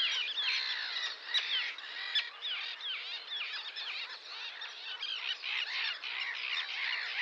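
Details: Sandwich terns (Thalasseus sandvicensis): a dense chorus of harsh, grating, overlapping calls rising and falling without pause, like a busy colony.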